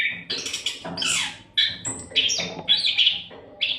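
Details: Oriental magpie-robin (kacer) singing nonstop to tutor other songbirds; harsh, noisy scratchy bursts mixed with whistled notes, delivered in quick phrases.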